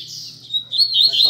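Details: Rusty-collared seedeater singing at a Sunday-morning gathering of kept birds among friends: thin, high whistled notes that slide and waver, ending in quick trilled slurs, with a faint steady low hum underneath.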